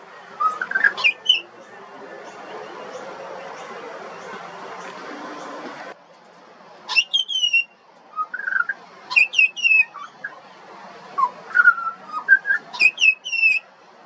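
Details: Juvenile pied butcherbird, Australian songbird, heard after several seconds of steady background hiss, then giving short bursts of high sliding whistles and lower warbled notes in separate phrases.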